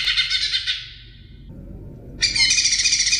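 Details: Greater green leafbird singing, recorded as tutor audio for songbirds: a fast pulsing trill fading and dropping slightly in pitch, a quiet gap, then a loud, bright, rapid trill resumes.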